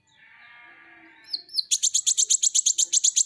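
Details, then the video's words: Kolibri ninja, or Van Hasselt's sunbird, kept as a cage bird: after two thin high whistles, a fast, even trill of very high buzzy notes, nearly three per second. "masteran KONIN dacok ngobra ngobra"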